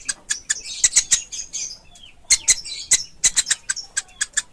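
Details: Young pelatuk ulam woodpecker: irregular high chips and short scratchy trills, with a pause around two seconds before quick sharp notes return.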